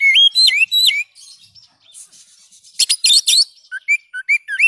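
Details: Vigorous Oriental magpie-robin song meant to stimulate silent birds: loud slurred whistles, a quieter scratchy passage, harsh stacked rattles, then a run of short rising whistled notes.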